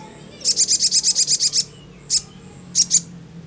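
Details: Ngleper-style sogon song: a fast, even train of ten high chirps, then a pause and three further isolated chirps.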